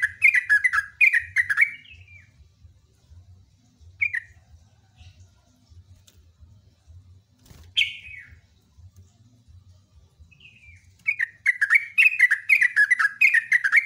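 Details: Loud sooty-headed bulbul delivering a long rapid song: dense bursts of bubbly, slurred whistled notes at the start and end, with scattered single falling notes between them and a steady low hum underneath.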